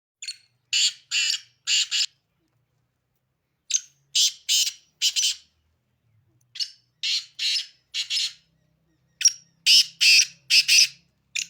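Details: Sindhi black francolin calling: four harsh, grating phrases of four or five loud, rasping notes each, delivered in bursts roughly every three seconds with short silent gaps between, no other sounds.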